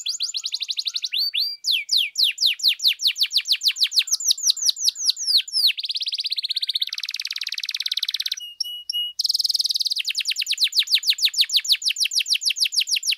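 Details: Long energetic canary song used to provoke other canaries into singing, built from rapid trills of repeated downslurred notes, changing to buzzy rolls and short whistles midway, then another fast trill.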